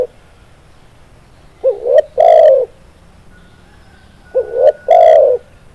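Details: Lure call of a spotted dove for bird trapping: two phrases of soft mellow cooing, a brief rising note then a longer steady coo, spaced roughly three seconds apart.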